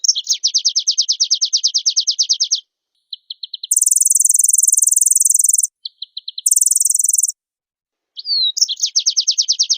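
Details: Oriental white-eye in full fill-in song responding to another bird: quick high trills and ticking notes alternate with two bursts of a very even, shrill, pulsing buzz before the trilling resumes.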